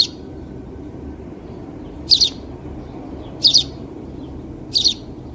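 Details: House sparrow giving three short, high double chirps spaced about 1.3 seconds apart after a quiet opening, over a steady low rumble in the background.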